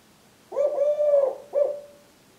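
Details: A 3-year-old male Eurasian collared dove, wing-tapping, sings his "please lay eggs" song: a low, hollow coo with a drawn-out middle note followed by a brief clipped note, with no other sounds.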